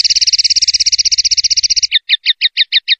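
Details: Male common linnet song: a long, fast, steady trill of closely packed buzzy notes for almost two seconds, which slows abruptly into a series of separate, spaced chirps repeated about every sixth of a second.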